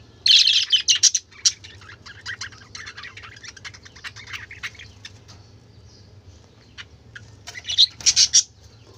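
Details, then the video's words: Colourful budgerigars make loud bursts of shrill chirps at the start and end, with soft scattered ticking chirps in between, over a low steady hum. "কালারফুল পাখিদের চেঁচামেচি ৷ বাজিগর পাখির ডাক"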